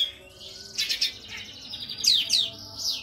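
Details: Oriental white-eye in full, active song, used as a training recording for other birds: high, rapid twittering phrases in quick bursts, with thin descending trills near the end; no other sounds stand out.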